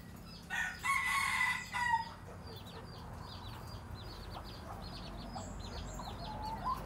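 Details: A Phatthalung-line red junglefowl rooster, used as a decoy for catching wild junglefowl, gives one hoarse, strained crow about a second and a half long, followed by rapid high chirps of small birds or insects.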